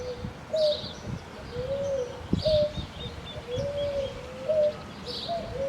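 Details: Juvenile Picazuro Pigeon inflating its neck to sing a cucu-like song: low, soft cooing notes repeated roughly every second in a loose rhythm, with faint high chirps from other small birds behind.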